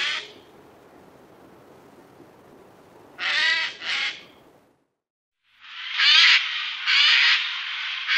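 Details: Eurasian jay in the Wittlicher Tal valley, 2018: harsh, rasping broadband screeches, a quick pair after a quiet stretch, then a longer run of three or four loud grating shrieks.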